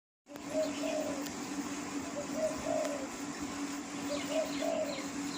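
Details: Spotted dove in the wild giving three soft, low cooing phrases of two or three notes each, spaced about two seconds apart, over a steady low hum and faint background noise.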